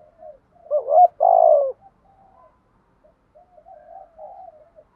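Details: A spotted dove calls and challenges others to a fight. A short rising coo runs straight into a loud, long, slightly falling coo, followed by soft, wavering murmured notes.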